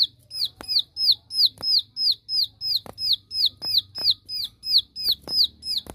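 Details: Bar-winged prinia in 'tembakan' (shooting) style, calling out rivals: a steady run of sharp, high downslurred notes, about three per second, with a few faint clicks in the background.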